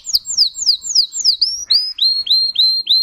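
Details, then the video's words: Russian singing canary, a bred song variety, giving a handful of sharp descending notes followed by slower, rising whistles that level off, spaced roughly half a second apart. "Red trees Canary Singing"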